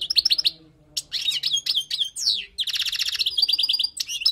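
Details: Tutoring song of a wild European goldfinch, a dense stream of quick tinkling and buzzy notes with short trills and downward slides, after a brief pause at the start.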